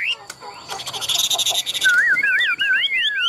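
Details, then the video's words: Chinese hwamei, a caged contest songbird, breaks into a wavering whistled phrase halfway through, rising and falling repeatedly, after an opening of man's talk and clatter. "Họa mi thuần đét, Bộ to - Đấu hót rất tốt"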